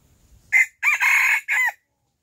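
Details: Silkie rooster in Vietnam crows once in the early morning: a short harsh opening note, a long loud held middle, and a falling final note, all over in about a second.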